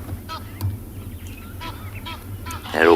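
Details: Egyptian geese shouting at each other in the background on a Wednesday morning at Tswalu Kalahari Reserve, South Africa, near a resting hippo: a string of short, nasal honks ending in a loud, harsh, braying burst, over a low rumble.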